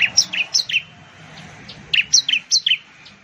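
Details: Ciblek (bar-winged prinia), a common Indonesian garden and rice-field bird. Two bouts of four or five quick, sharp, falling chip-whistles, separated by a short gap with faint thin pulses.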